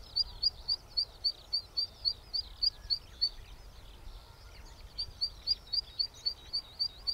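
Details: Zitting cisticola, Sony A7R4A camera with a 200-600mm lens: rapid, regular, high-pitched 'zit' notes, roughly three or four per second, stopping for about two seconds of soft background sound before starting again.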